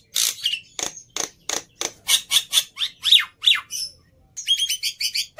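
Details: Black-winged myna in fighting mood, suited for training silent starlings, gives sharp rasping bursts, then a sequence of shrill descending squeals and grating notes, a short pause, and more quick squeaky chatter.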